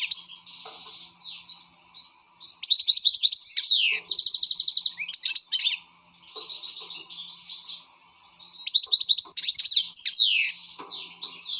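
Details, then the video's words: Excited European goldfinch in a long, lively song: fast rattling trills, a dry buzzy stretch, ringing twitters and sweeping slurs, in loud bursts separated by softer interludes. "حسون هائج"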